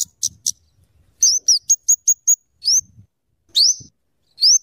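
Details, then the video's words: Scarlet-headed flowerpecker, called kemade, singing as a tutor and lure bird: three high ticks, then a quick run of sharp clipped notes and several thin rising whistled slurs, with quiet gaps between. "suara burung kemade atau cabe cabean gacor cocok untuk pikat dan Masteran"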